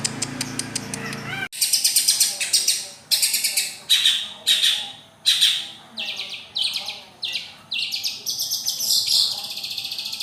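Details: Long-tailed shrike: after a brief low tonal hum, the bird delivers harsh, scratchy chattering phrases repeated about twice a second, each fading away, then a faster jumbled sequence.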